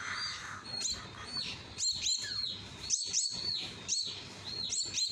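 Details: Baby common myna begging while being hand-fed, shrill high squeaks that arch then fall, repeated about once a second in an uneven rhythm, over a low steady background hum.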